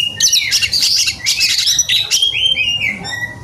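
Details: Oriental magpie-robin in an agitated state, seeking a rival: busy, scratchy warbling that gives way to a smooth, long, gently falling whistle and a few soft trailing notes.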